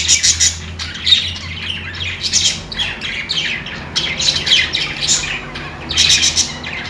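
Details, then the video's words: Budgies give lively, harsh chirps and warbling chatter, clustered in quick bursts with short pauses between them, over a soft low hum. "parakeet chirping sounds"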